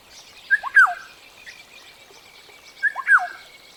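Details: Black-tailed Oriole (Oriolus percivali) call: two identical short, liquid whistled phrases about two and a half seconds apart, each a quick slurred upward then falling note with a brief flourish, on a quiet background.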